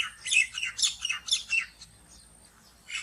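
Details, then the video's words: A common myna giving harsh, scratchy chattering bursts in quick succession, then a thin high whistle and one more raspy note. "બાળકો હવે આપણે કાબરનો અવાજ સાંભળીએ"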